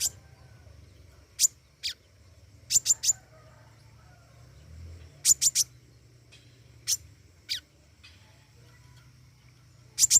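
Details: Flowerpecker, the pentis raja, singing actively: scattered sharp high ticks, single or in short runs of two to three, spread irregularly over ten seconds above a low background hum.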